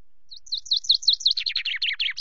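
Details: Common chaffinch perched on a camera at Loch Garten on 24 May, preening and singing: high down-slurred notes repeated, then a faster, lower cascading run of chirps cut off at the final flourish.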